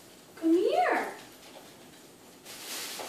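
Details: Eclectus parrot talking in the evening: one short, speech-like phrase with a rising then falling voice and clear harmonics, followed by quiet hiss and a burst of soft noise.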